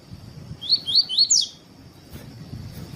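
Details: Double-collared seedeater in the "tuí tuí" song style, used to teach and warm up other seedeaters: a rapid series of four high slurred whistles, each rising then dipping, the last sharper and higher, over faint background hiss.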